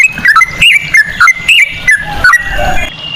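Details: Sooty-headed bulbul singing ropel-style with cucak rowo phrasing, played as a lure: a short series of bright, swooping whistled notes, about three per second, trailing off into low noise.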